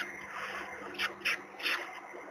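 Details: Peregrine falcon at its nest in Gdynia, Poland, 16 April 2021, recorded by webcam as the third chick hatches: three short, scratchy bursts in quick succession against a constant hissing background.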